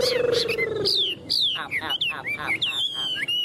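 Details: Caged tame hwamei song: a steady low tone and a harsh opening give way to sharp, bending whistles, some dropping steeply, others rising in bright slurs, spaced irregularly over a few seconds.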